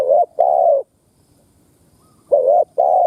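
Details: Spotted dove, a decoy bird recorded to stimulate caged doves to call and to lure wild doves. It gives two pairs of low, hollow coos. Each pair is a short note and then a longer, steady one, with a quiet pause between pairs.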